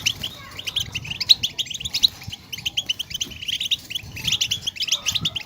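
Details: European goldfinch song played to stimulate caged goldfinches to sing. A rapid, continuous twitter of short high tinkling notes comes in dense bursts, with occasional brief pauses.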